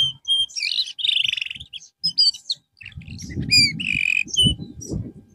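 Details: Canary singing as therapy after losing form. Mixed, lively song of buzzy rattles, ringing harmonic notes and short chirps, shifting quickly between phrases, with rumbling background noise in the second half.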